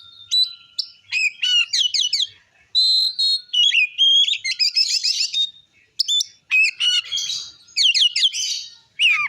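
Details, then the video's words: Oriental magpie-robin in full ngeplong song meant to rouse rival magpie-robins: a rapid stream of sharp whistles, steep downslurred notes and buzzy rattles, delivered in bursts with short gaps. "Suara Kacer Gacor Ngeplong Ampuh Memancing Emosi Kacer Lain"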